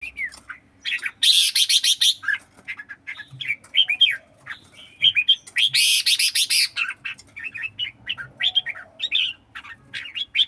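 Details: Red-whiskered bulbuls in a singing contest, songkon type: rapid bursts of bright warbled phrases around mid-high pitch, interrupted by two loud harsh noisy broadband bursts, with short pauses between phrases.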